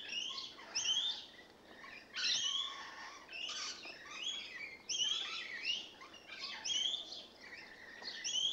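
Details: A group of rainbow lorikeets that have moved in, busy with lively carry-on behaviour, pour out a steady stream of harsh, scratchy screeches and chattering squawks, some overlapping, with short dips between bursts.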